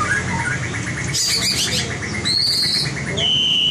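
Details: White-rumped shama trained for competition singing: a rapid even series of short notes, then long clear high whistles held steady, over low hum.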